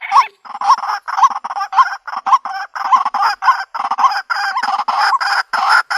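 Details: White-breasted waterhen call used to lure birds into a trap in the country: continuous harsh, grating croaks with faint rising hooks repeated about twice a second, loud and raspy.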